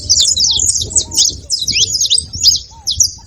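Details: High, bright saffron finch chirps tumble in quick groups, with low rising-and-falling whistles and a rumbling low backdrop.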